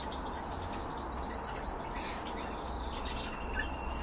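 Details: Canaries in a breeding setup: a rapid, high, evenly pulsed trill rolling for about two seconds, followed by fainter thin whistles against a constant low hum.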